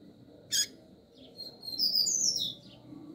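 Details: Female double-collared seedeater calling to stimulate the male: a sharp broadband chip, then a thin high whistled phrase of sliding notes lasting about a second, over a steady faint high tone.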